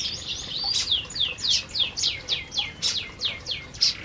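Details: Canaries in an aviary while eating: a rapid series of clear whistled notes, each sweeping sharply downward, repeated about three to four times a second.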